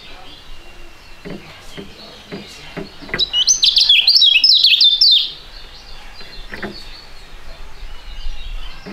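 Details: Two young Indonesian songbirds (a storing and a prugut), fighting-type competition birds, sing together in a dense, high, chattering burst of twittering notes for about two seconds, with scattered single chirps before and after.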